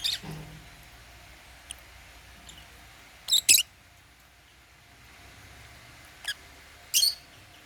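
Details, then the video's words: Chirping from African lovebirds feeding on holy basil at meal time: sharp, high, clipped squeaks, some in quick doubles, spaced irregularly a second or more apart against soft background hiss. "African Love birds | Eating Holy basil | chirping sound"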